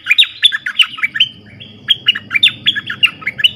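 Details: Wild-bird luring session with a Streak-eared bulbul: fast, uneven strings of sharp, chirpy notes, some slurred downward, repeated almost continuously over a steady low background hum.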